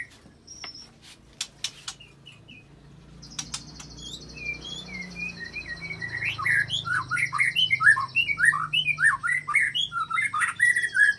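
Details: White-rumped shama building from sparse clicks and short whistles into a dense, fast stream of varied chirps, meant to provoke other shamas. A steady high buzzing tone runs through the middle.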